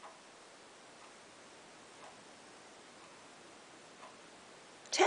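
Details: Even hiss indoors with a soft tick roughly once a second and a sudden clatter at the very end, no animal voice present.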